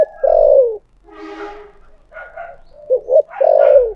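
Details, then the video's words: Spotted dove cooing in the thổ sấm voice. A long falling coo opens, a rougher burst of other bird sounds follows, then two short coos and another long descending coo. "cu gáy giọng thổ sấm"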